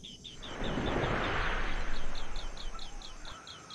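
An Asian green bee-eater gives a rapid series of short, high, downslurred chirps, about four a second, over a steady low rumble of wind or distant traffic.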